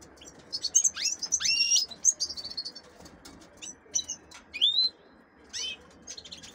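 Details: Captive female canaries held for hybrid breeding with goldfinches give scattered high calls: sharp upward-sweeping notes and brief buzzy chirps separated by short gaps.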